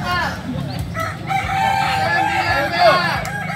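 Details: A kukuak balenggek rooster at an AMKO training competition gives a loud, extended crow broken into wavering, stepped notes, with other crowing cocks and murmuring people behind.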